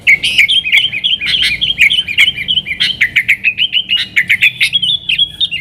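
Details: Energetic yellow-vented bulbul song of the nggaruda type, played to draw in wild sooty-headed bulbuls: a continuous chatter of fast, sharp, bubbling notes, roughly three per second, ending in slurred whistles.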